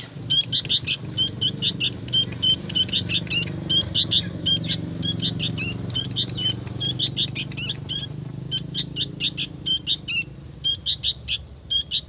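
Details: Young sooty-headed bulbul calling actively: rapid clusters of short, bright chirps, two to four at a time, repeated steadily about twice a second, over a low rumbling background hum.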